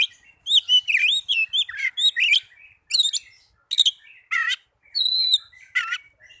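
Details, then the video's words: Oriental magpie-robin song played as a lure to get lazy caged birds singing: rapid run of sharp, bright whistled notes and buzzy slurred phrases, then separate clear whistles and down-slurred chirps with short pauses. "Pancingan burung kacer agar cepat gacor"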